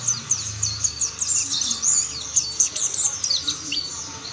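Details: Mountain white-eyes joining in song: bright, high chirps and rapid falling twitters from several birds at once, continuous and busy, with a brief low hum at the start.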